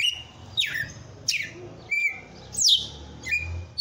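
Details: Red-cowled cardinal, a captive breeder's bird, giving its strong açoite song: sharp downslurred whistles and a few steady held notes at uneven intervals, over noticeable low humming background noise.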